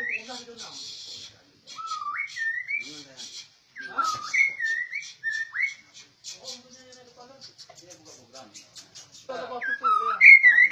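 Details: Captive, trained white-rumped shama, described as rare, singing clear whistled phrases that rise and fall, with buzzy, rattling notes in between and short pauses. The last phrase is the loudest.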